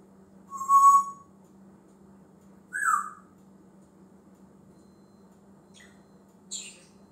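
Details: A talking male African grey parrot kept as a pet, always picking up new words and noises, produces a strong level whistle, a downward-sliding whistled call, then two thin high chirps spread over several seconds; steady low hum behind.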